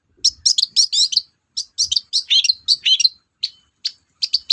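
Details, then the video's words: Long-tailed shrike, called cendet, singing energetically in a lure recording for cage birds: a rapid jumble of short, high chirping and chattering phrases with brief pauses between bursts. "BURUNG CENDET GACOR DORR, BIANGNYA PANCINGAN CENDET LOYO"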